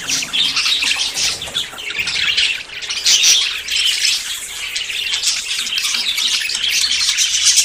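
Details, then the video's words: Several budgerigars courting and about to breed chatter and warble nonstop, a dense mix of high chirps, squawks and scratchy trills with no pauses. "CON ESTE AUDIO TUS PERIQUITOS SE APAREARÁN"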